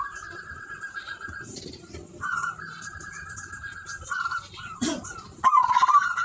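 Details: Singing zebra dove (perkutut) gives long, sustained, quavering trilled coos on a level pitch, separated by short pauses, ending in a louder wavering phrase; faint knocks and room noise behind.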